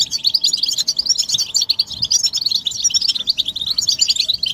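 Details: Several European goldfinches chattering together as a song stimulus for males; unbroken, sparkling high chirps and short trills tumble over one another for the whole stretch.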